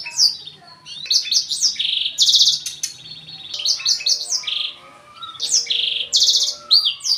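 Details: Caged black-throated canary singing: a fast, varied high song of sharp chirps, buzzy trills and quick rising and falling whistles, delivered in dense continuous phrases with short breaks.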